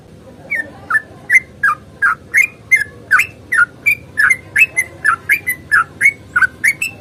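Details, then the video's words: Sooty-headed bulbul giving its fighting song in a long rapid sequence, meant to prompt other bulbuls to sing. Bright, bouncy whistled notes, each bending up or down, repeat steadily for seven seconds against a soft background hiss. "trucukan GACOR tarung ropel panjang ini AMPUH bikin trucuk gacor bunyi NYAUT"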